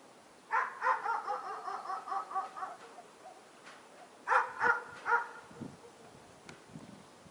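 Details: Fieldfare in late winter feeding season on leftover berries; a long scratchy run of rapid rasping chack notes, then a pause and three louder harsh notes, with faint rustling afterwards.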